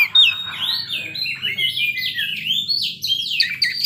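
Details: Afternoon song of an Oriental magpie-robin, delivered as a continuous, fluid stream of warbled whistles that swoop up and down, with scratchy accents woven between the sweeter phrases.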